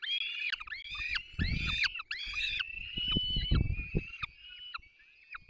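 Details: Peregrine falcon chicks at the nest being fed by their parents, Barycz Valley, 3 May 2024: harsh, high, drawn-out screaming calls in quick overlapping series, with low thumping and rustling sounds underneath.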